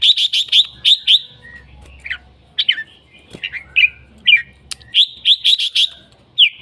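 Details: Vocal red-whiskered bulbul opening with a rapid run of six bright chirps, then slurred falling whistles and short phrases, and closing with another quick chirp series and a final downslurred note.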